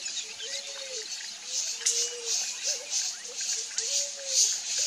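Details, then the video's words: Picazuro pigeon (Patagioenas picazuro) song: soft, low, drawn-out cooing notes in a slow series, over a steady hiss of insects or water and faint distant voices. "CANTO da POMBA-ASA-BRANCA (PATAGIOENAS PICAZURO) PICAZURO PIGEON"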